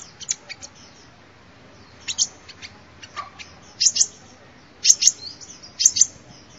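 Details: Sunbird calling, used as a lure: short bursts of two or three sharp, very high chips separated by pauses of about one second.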